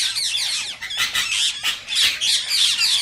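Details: Indian ring-necked parakeet screeching, a sound said to stimulate mating in parakeets that hear it: rough, high squawks in close overlapping runs, broken by a few short drops in volume.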